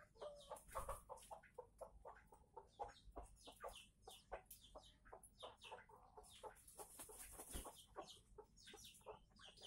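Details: Red junglefowl from Aceh, used as a lure call for trapping birds: a busy run of sharp, rapid clucks and short chips, some in quick bursts, with scattered higher chirps over a low background rumble.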